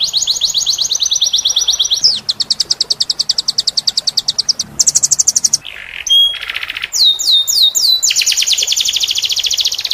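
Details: Canary song recorded as a tutor for other canaries, in a varied style: rapid buzzy trills at high pitch, then a sharp break into pure whistled notes and fast down-slurred rolls.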